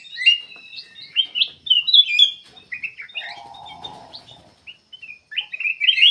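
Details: Black-capped bulbul in energetic song, meant to draw other birds into singing. Quick chirped and slurred notes run almost without pause, with a low droning buzz in the middle.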